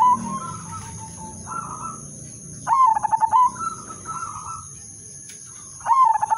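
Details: Zebra dove (perkutut) of the 'udanmas silver' singing style, used as a lure to set other doves singing: stuttering pulsed coos that settle into a rolling, slightly falling trill, phrases about every three seconds, with a steady high electronic whine.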